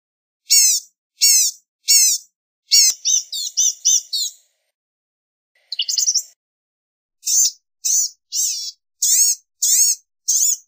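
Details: Blue-gray gnatcatcher giving sharp, high downslurred notes spaced under a second apart, interrupted by a rapid jumbled twittering sequence and a brief scratchy burst, then more spaced high notes.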